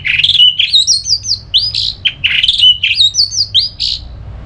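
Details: Orange-headed thrush (anis merah) in rich ngeplong song meant to trigger another bird into singing: continuous fast run of varied whistles, slurred upward notes and short chips, loud and clear.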